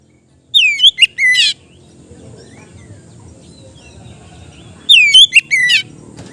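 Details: Relaxed ngeplong song of an Oriental magpie-robin, used to train inexperienced kept birds. Two brief bursts sit three seconds apart, each a clear falling whistle, a short note and a buzzy drawn phrase, over quiet background hiss.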